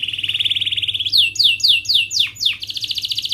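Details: Singing canary, offered as a lesson piece for young birds learning their song: an even rolling trill gives way to loud, sharp, downward-swept chirps repeated about four times a second, then a high buzzy roll.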